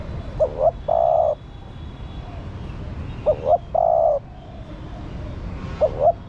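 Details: Spotted dove hen calling to stimulate the male. A low phrase repeats three times about every two and a half seconds: a pair of short hoots, then a long sustained coo, the last phrase cut short.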